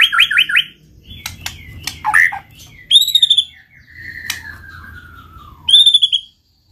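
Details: ['White-rumped shama singing to prompt other shamas: a fast trill of repeated notes, sharp chips, a long slowly falling whistle and a bright high phrase, over a low steady hum.']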